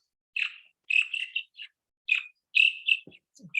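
Pectoral Sandpiper giving short, throaty, burry 'church' calls, repeated in quick pairs and clusters; a few faint low thumps in the background.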